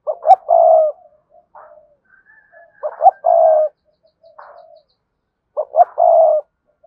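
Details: Spotted dove of the cườm sa kind, coo used to get males cooing quickly: three low coo phrases, each two quick notes and a long tone, nearly three seconds apart, with faint coos between.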